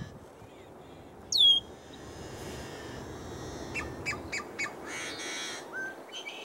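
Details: Male yellow-headed blackbird perched on a cattail in Southwestern Montana calling: a sharp, high, downward-sweeping squeal, then a run of short harsh clicks and a raspy, buzzy stretch, with a soft rural hiss behind.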